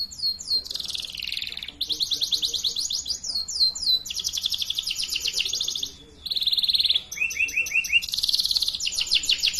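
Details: Young-bird training song of a canary: long high rolling trills broken into varied sections, some rapid and buzzy, some slower and lower, with a brief pause before the song resumes in new high rolled phrases.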